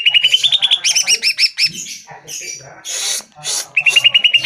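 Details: Greater green leafbird song meant to draw a reply from caged birds. Opens with a fast, bright run of repeated whistled notes, then dropping paired notes, harsh hissing bursts, and another rapid whistled series at the end.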